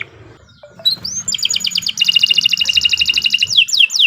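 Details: Kenari Nusantara canary in long gacor song meant for tutoring young birds; a rising whistle leads into fast, evenly repeated clipped notes and a dense rattling trill, ending in steep downward slurs.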